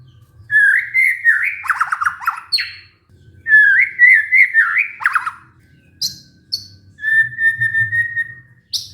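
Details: White-rumped shama song used as a lure to stir a stressed, silent caged bird into singing again: varied whistled phrases around mid pitch with rapid trills, pauses between bursts, a long steady whistle near the end.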